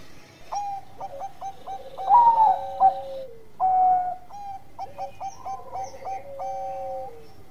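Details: Zebra dove of the Bangkok type singing actively, used to lure other doves into song; mellow cooing phrases of short clipped notes, then longer held coos, two voices overlapping at slightly different pitches, in two bursts with a brief pause.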